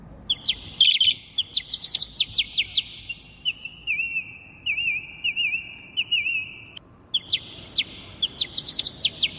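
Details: Two parrots at home singing together, high whistled phrases with rapid clicking trills, a steady wavering whistled tone in the middle, then the clicky trilled phrases return.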